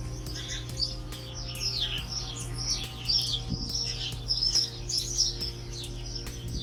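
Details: Birds singing in nature, a busy mix of high chirps and twittering phrases from several birds overlapping continuously over a steady low hum.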